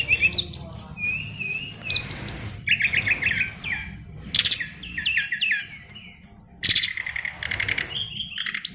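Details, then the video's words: Oriental magpie-robin, a caged fighter-type bird, delivers a dense medley of whistled notes, fast stuttering trills, and sweeping slurred calls in varied bursts. Faint low rumble runs throughout. "SRDC Fighter isian luber"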